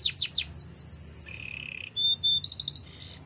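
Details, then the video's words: Short burst of canary song, reportedly wild: a string of fast descending whistled notes, then a flat buzzy trill, a few sharp high pips and a final ringing trill. "melodies canary bird sounds in the wild"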